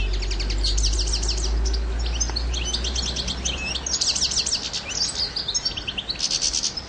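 A European goldfinch sings a fast, tinkling jumble of bright twitters and liquid trills, with a steady low hum underneath.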